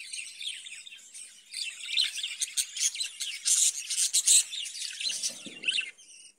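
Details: Budgerigars kept in a cage chatter busily: dense, high, scratchy warbling with quick chirps that grows louder midway, then a few low bumps before it fades.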